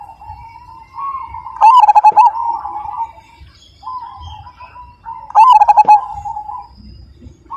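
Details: Zebra dove, Majapahit type, singing with a big 'kung' voice: two loud phrases of fast, throbbing coo notes about four seconds apart, each trailing into a level coo. Softer cooing from other doves fills the gaps.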